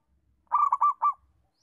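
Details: Settled song of a local zebra dove, kept for teaching other doves: a brief run of four or five quick, purring coo notes joined into one rolling phrase, with faint low rumbling before and after.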